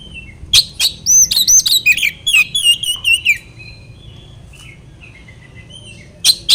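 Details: Oriental magpie-robin, locally kacer, singing as a provocation to rival birds: quick sharp notes and looping whistles packed into three seconds, a quiet stretch of thin notes, then two sharp clicks.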